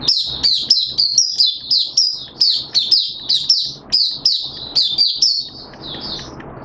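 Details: Kept Malaysian Oriental white-eye singing: bright, high, fast chirp bursts about three per second, fading at the end into soft background hiss.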